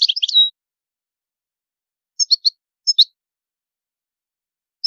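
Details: European goldfinch with high maqamat: a brief tumbling twitter ending in a held note, followed by spaced pairs of high, sharp chirps and a final faint single note.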